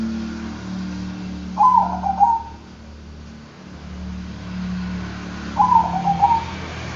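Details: Bangkok-type zebra dove giving two softer cooing phrases four seconds apart, each a short run of clipped notes then a level trailing coo, set against a constant low engine-like rumble.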